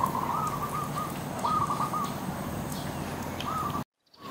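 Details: A dove in a tree gives soft, hollow coos in short bursts, several phrases over about four seconds, against a steady low rumble of background noise.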